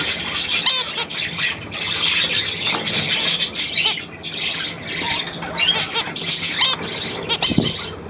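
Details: Budgerigar group recorded 9 February 2024 keeps up a steady high chatter of scratchy chirps and brief whistled notes, with a thump near the end.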